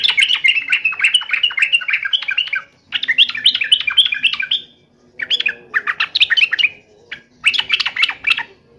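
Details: Yellow-vented bulbul in full song, taunting a rival: four bursts of rapid, bubbly chattering notes around mid-high pitch, each lasting one to two seconds with brief pauses between.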